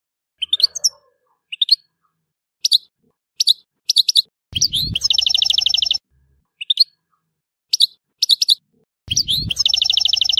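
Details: European goldfinch of Tissemsilt giving spaced single high chirps, then twice bursting into a quick rattling trill over a low background rumble.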